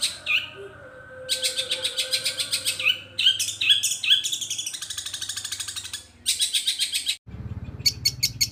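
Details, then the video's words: Long-tailed shrike song with fill-ins that imitate gereja petir, kunti and tengkek buto. A whistled opening gives way to long runs of harsh, rasping repeated notes with sharp whistles between them, ending in choppy bursts over a deep rumbling background. "bunyi super panjang cendet isian gereja petir,Kunti, dan Tengkek Buto"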